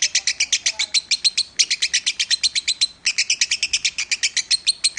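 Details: Lovebird in the 'Minor' style, recorded as a master for training birds: rapid strings of bright chipping notes, rhythmic and high-pitched, broken once by a short gap before resuming.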